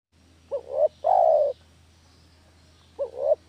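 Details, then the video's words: Spotted dove lure call used for catching doves: a short rising two-step coo followed by a long, level, mellow coo, then the two-step opening begins again. A steady low hum runs underneath. "SUARA MASTER PIKAT DERKUKU KAMPUNG..!!"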